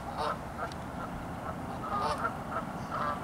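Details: Geese honk in loose overlapping bursts, short nasal calls clustered near the start and again in the second half, with low rumbling noise underneath.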